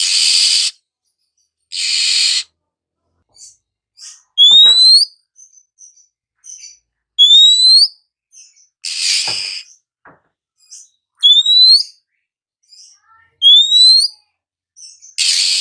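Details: In the morning an Oriental magpie-robin mixes loud, harsh hissing rasps with clear rising whistles, the two sounds alternating regularly, with faint soft chips between.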